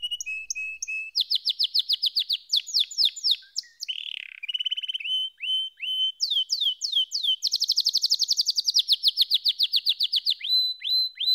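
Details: Continuous canary song of varied tours, alternating steady whistled notes, chattering rolls and fast high trills, each phrase repeated many times before switching.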